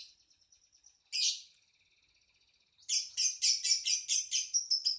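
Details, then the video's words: Lovebird: a faint, thin twittering, one loud harsh squawk, a short silence, then a quick string of loud, high, raspy chirps about every third of a second. "Kicau Lovebird | Ocehan burung Lovebird"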